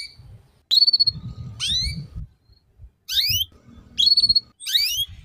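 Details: Ngeriwik-style canary tutor song for juvenile birds to learn: bright whistled notes and downward-sweeping slurs in short bursts, with a soft low rumble underneath between phrases.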